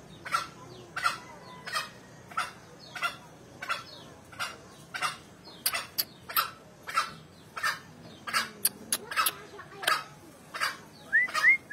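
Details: Male green junglefowl giving a long run of short, harsh calls almost every 0.7 seconds; a few thin rising whistles from another bird appear near the end.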